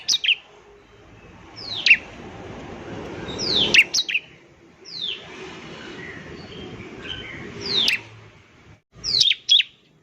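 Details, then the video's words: Bar-winged prinia song meant to make newly caught prinias start singing: widely spaced single and paired high down-slurred chirps over steady broadband hiss, ending in a quick cluster of notes. "ciblek semi gacor, ampuh untuk pancingan ciblek semi obyokan agar cepat bunyi"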